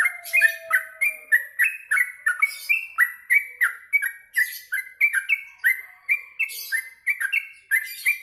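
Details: Yellow-vented bulbul singing energetically after eating mealworms: rapid, rhythmic bubbling notes stepping up and down, about three per second, forming a continuous cheerful warble with a faint low whistle at the start.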